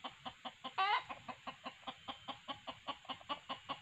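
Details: Quick, rhythmic clucks from junglefowl during a lure with a male decoy and female call playback, broken early by one loud, harsh squawk.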